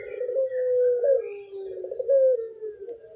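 A ringneck dove gives low, soft, rolling coos, a drawn-out hooting note followed by a shorter one about a second later, with no other sounds.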